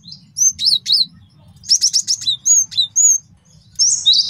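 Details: Male cinereous tit giving master song used for training and luring wild birds: scattered high, sharp chirps and short clusters of quick repeated notes with pauses between, over a faint low hum.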